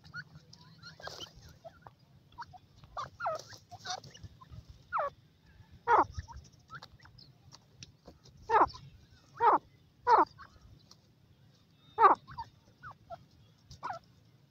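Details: Female francolin giving short, harsh, strongly stressed calls at irregular intervals of one to two seconds, with softer clucks between them against a quiet background with a faint low hum.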